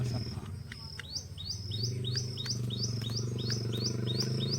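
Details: Black francolin chick of pure Lakka lineage calling: a quick run of short, high whistled notes, each hooking downward, about three per second, over a steady low hum.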